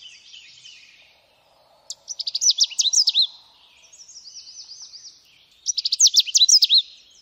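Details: Canada warbler singing: quick, sharp, high jumbled phrases of clipped notes, two loud bursts about four seconds apart, separated by a softer run of slurred wavering notes.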